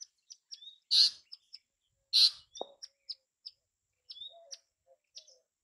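Bay-backed shrike song: a rambling run of short, high chips and thin whistles, broken by two loud harsh bursts and a few lower nasal notes.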